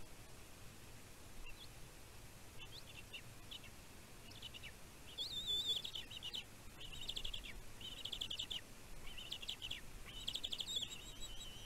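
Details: A nest camera on Catalina Island, California, catches a young bald eagle at the Two Harbors nest on 15 June 2023, calling over its mother's food deliveries. Soft high notes build into loud, rapid chittering runs of piercing chirps partway through, over a steady hiss.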